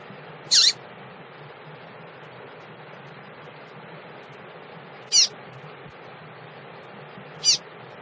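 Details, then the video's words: A calling female double-collared seedeater, trying to stimulate males, gives three isolated sharp high downslurred chips spaced several seconds apart over a quiet humming background. "fêmea de coleiro chamado pra esquentar"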